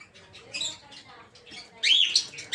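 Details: Peach-faced lovebirds in an aviary, kept for breeding. Softer, rough chattering builds into a louder burst of shrill squeaky notes near the end, over faint background rustle.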